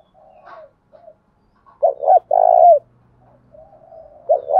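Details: Spotted dove coo in the Đồng Thổ style, used to incite a competing male: quiet background cooing, then a loud phrase of two short notes and a long purring, descending coo, with a faint low hum.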